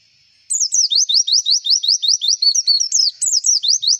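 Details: White-eye song played as a lure to prompt other contest birds to sing: fast series of high, bright notes, each sweeping steeply downward, repeated about two and a half times per second with a few twittering variations.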